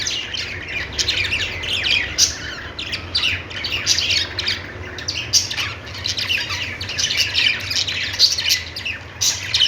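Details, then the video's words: Continuous budgie chatter, many high squawky chirps and clicks packed closely together, rising and falling in loudness throughout, with a faint hum in the background. "Budgies singing |budgies sounds | parakeet chirping sounds"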